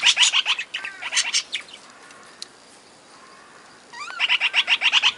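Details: Budgerigars in an aviary, kept with other parakeets and lovebirds, giving bursts of rapid, high, buzzy chirps repeated several times a second, with a quieter gap of faint single notes in the middle.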